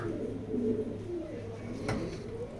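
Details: Racing pigeons kept indoors for sale give deep, throaty coos that rise and fall in waves, with a steady low hum and one sharp click partway through.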